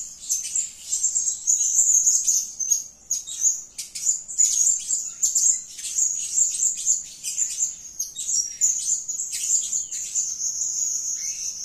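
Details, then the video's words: Blue-crowned hanging parrot, known locally as serindit, calling in a lively, energetic way: continuous very high, thin, shrill twittering chatter made of rapid notes run together in dense bursts, almost unbroken throughout. "suara gacor si Sayap Kuning memanggil"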